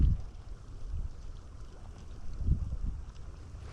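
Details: Only low rumbling wind and handling noise with soft thumps, and no animal voices.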